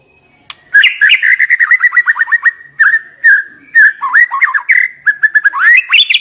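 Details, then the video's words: White-rumped shama, a young forest bird, singing to spur young wild birds: a fast run of loud whistled and buzzy notes around one pitch band, with quick downslurred phrases and sharp high clicks, ending in rising notes. "Pancingan MURAI BATU Muda Hutan"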